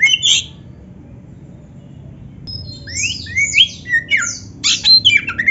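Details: Kacer, or Oriental magpie-robin, singing for a recording used to train caged birds: a short burst of notes, a long pause, then swooping slurred whistles and sharp chirps that come faster toward the end.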